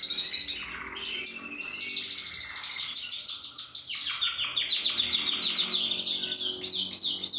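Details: Portuguese Harlequin canary, bred in captivity, singing in 2024: a fast, continuous run of rapid trills and rolling chirps, with bright repeated notes rising and falling in quick phrases.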